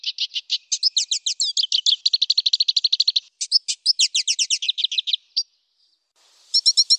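A black siskin sings a long, loud run of fast, buzzy, high twittering notes. It pauses briefly before a fresh burst at the end.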